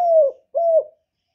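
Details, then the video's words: Spotted dove used as a lure, two smooth, slightly falling coos of similar length with a short gap between. "CU GÁY GỌI + GÙ + THÚC CỰC KỲ HAY, Cu Gáy mồi hay, tiếng cu kích bổi, cu đất kích mồi"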